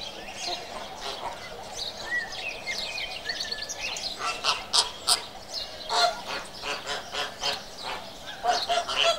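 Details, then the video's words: Flamingos calling: loud nasal honks, several overlapping and irregular, clustered most densely in the second half, over a steady background hiss. "Flamingo. Video and sound."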